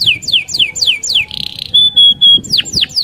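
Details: Canary song for luring other canaries: five falling whistled notes, a short buzzy rattle, steady pure tones, then more steep descending whistles.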